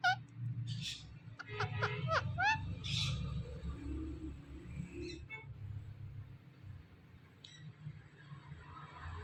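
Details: Pet ringneck parrot talking: a quick run of short, harmonic, speech-like syllables and a few hissing, breathy bursts in the first three seconds, then a quieter stretch with scattered faint chirps over a steady low hum.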